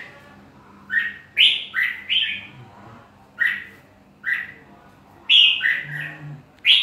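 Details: Lively song of a red-whiskered bulbul: clear, chirpy whistled phrases, some doubled in quick pairs, spaced by brief silences, with faint low background noise.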